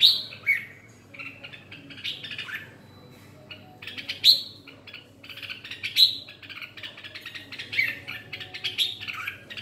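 Red-whiskered bulbul giving bright, bubbly whistled phrases that swoop down and up, repeated every couple of seconds in a quiet setting.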